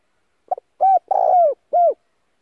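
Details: Spotted dove kept as a decoy, calling to provoke wild doves: a single phrase of a faint double note, a mellow coo, a drawn-out rolling coo and a last curving coo, against silence.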